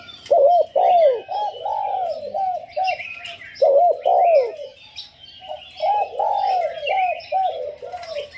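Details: Spotted dove kept as a decoy bird, calling in the prized karom style: groups of low, hoarse, rolling coos, each phrase a run of four to five swooping notes, repeated with pauses, while small birds chirp faintly in the background.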